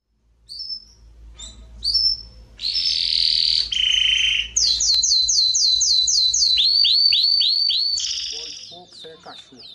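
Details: Domestic Belgian canary, a yellow bird, singing at a singing competition: loud, high whistled notes, then a long run of rapid repeated slurred syllables and falling trills, with faint low hum beneath.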